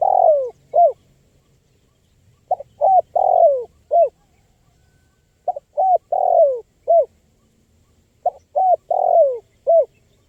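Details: Spotted dove cooing steadily, a recording meant to lure wild birds: four clear phrases, each of two or three short hollow coos, a long falling slurred coo and a final short note, spaced about every two and a half seconds.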